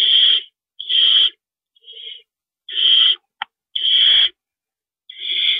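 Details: Owl during a rodent delivery in the evening of March 28, 2012: loud, rasping hissed screeches of about half a second, given in quick succession, with one sharp click partway through.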